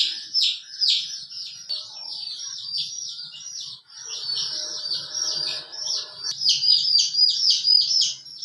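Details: Chicken, a hen with her colorful chicks: high, shrill peeps repeated rapidly, about four a second, overlapping as several chicks call, with faint low rustling and murmuring underneath.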